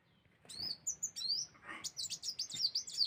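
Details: High, busy chirping from a sunbird used as a lure for other birds, quick tinny notes and short whistled slides tumbling one after another without pause.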